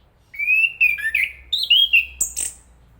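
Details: Chestnut-capped thrush song: smooth whistled notes rising and falling, a brief pause, more slurred whistles, then a thin, very high scratchy flourish.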